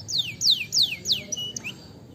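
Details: Canary song used as a lure to prompt other canaries to sing: four quick, high, whistled notes, each sweeping steeply downward, repeated about every quarter second, followed by a few short, fainter chirps.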